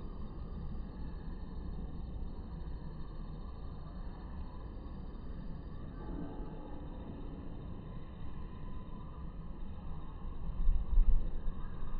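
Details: Only a low rumbling, vehicle-like background noise is heard, with no animal voice and a slightly louder stretch near the end.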